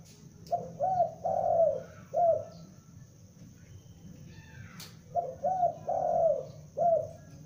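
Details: A young spotted dove kept as a calling lure gives two phrases of mellow, rounded coos, each a quick pair of notes then a longer drawn coo and a short final note, separated by a quiet gap of about three seconds.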